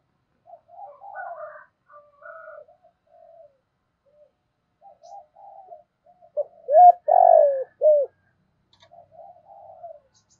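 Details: Captive decoy spotted dove cooing to draw wild doves. Soft scattered murmured coos build to one loud phrase of a rising coo, a long pulsed descending coo and a short arched note, then faint coos again.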